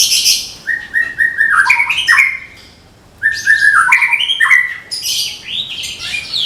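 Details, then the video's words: Medan-type white-rumped shama, a caged contest bird, delivers fast repeated slurred whistles in quick runs, mixed with harsh scratchy bursts, in two bouts split by a short pause. "SUARA TEMBAKAN MURAI MEDAN"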